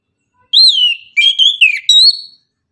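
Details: Orange-headed thrush singing in the morning, 'tembakan' style: a loud wavering whistle, a pause, then a run of three linked warbled whistles ending on a higher note.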